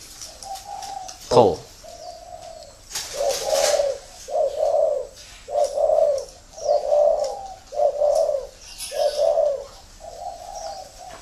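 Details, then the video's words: Spotted dove sent from a customer in Saigon, said to coo often; a sharp click, then a steady series of about nine mellow low coos, each about a second apart, with some rustling noise and background hiss. "chim đã gáy nhiều"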